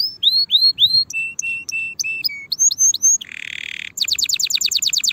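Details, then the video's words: Canary tutoring song for young birds, 2024 season: rising whistled slurs three times, a row of flat low whistles, a deep buzzy roll, then a quick high trill of repeated sweeps. "تغريد كناري لتسميع وتجهيز الفراخ مبكرا لموسم القادم"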